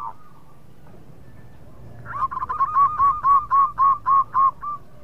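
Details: Zebra dove (perkutut lokal) in lively song used to lure rivals into answering. After a soft lead-in, a fast run of about ten arched, rounded coos at roughly four per second, evenly spaced and growing louder.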